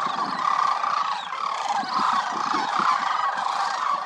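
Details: Migratory sandhill cranes wintering at Willcox Playa Wildlife Area, more than 20,000 birds, call together in a thick chorus of trilling, trumpet-like notes that swell and ease in short waves.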